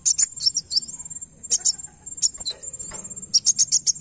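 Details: Van Hasselt's sunbird, played so another bird answers: scattered loud high chips and a thin rising slur, then a quick chip series at the end, with faint low background noise.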